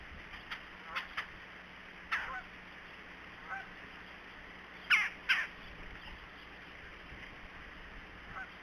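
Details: Red-bellied woodpecker calling off camera in January at Decorah: short, harsh, nasal rolling calls at irregular gaps, the loudest a close pair, over a steady background hiss.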